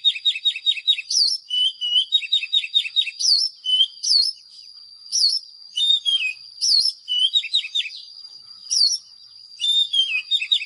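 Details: Oriental magpie-robin song for luring wild birds: repeated runs of fast stuttering notes alternating with bright upslurred whistles, phrases coming every second or so with short pauses, a faint high whine underneath.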